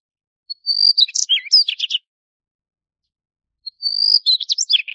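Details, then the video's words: Two similar phrases from a Daurian redstart, each a thin high whistle leading into a fast cluster of scratchy twittering notes, separated by about a second and a half of silence; no other noises. "黃尾鴝(北紅尾鴝)/Daurian Redstart"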